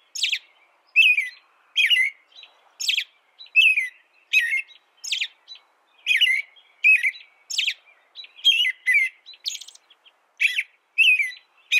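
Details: Continuous song from an American robin: clear, slurred whistled phrases, each with a thin high squeak, strung together at about one per second with brief pauses in between.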